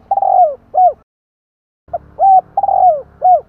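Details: Spotted dove calling in kích bổi style to attract wild doves, low mellow coos: the tail of one phrase with a long falling coo, a pause, then a full phrase of a short note, arched coos and a drawn-out downslurred coo, over a faint hum.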